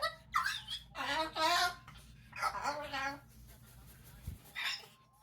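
Umbrella cockatoo giving four loud, raspy, talk-like bursts, some harsh and squawking, others wavering in pitch, spaced about a second apart in a small room.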